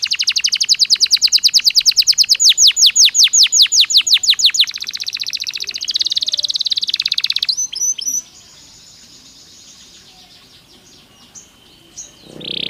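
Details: Belgian canary singing naturally, used for training other canaries: long rapid trills of high chirps, then a buzzy rattling phrase, a brief pause, and a short final note.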